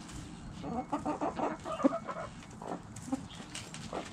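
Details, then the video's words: Backyard chickens, hens and roosters, clucking: a run of short, evenly spaced harmonic clucks in the first half, then scattered single clucks over a noisy yard background. "Backyard Chickens Relaxing Sounds Noises Video ASMR Hens Clucking Roosters Crowing!"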